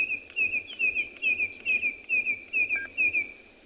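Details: Red-crested Korhaan calling unseen in the background at Tswalu Kalahari Reserve, South Africa, during a 26 October sunrise game drive: a run of short, high whistled down-slurred notes about five per second, with other birds chirping above.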